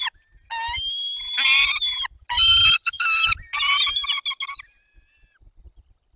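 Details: Peregrine falcon with a bat in the Barycz Valley on 4 May 2021. Drawn-out, rasping, harmonic wails alternate with short harsh bursts, then fade into a few faint, thin notes at the end.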